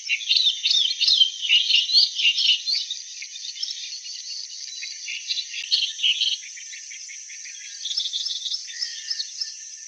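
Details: Song of the clamorous reed warbler, loud and chattering, with rough repeated syllables in uneven phrases for six seconds, a pause, then a softer renewed phrase over continuous background hiss.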